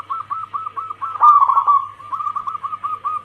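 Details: A female zebra dove calls to the male with a series of soft, evenly spaced cooing notes. A louder, longer, warbling coo sits in the middle, with a faint low hum underneath.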